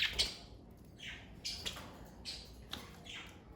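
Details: Pet parakeet family of budgerigars: a quick series of short, scratchy chirps and squeaks, about six notes spread over three and a half seconds.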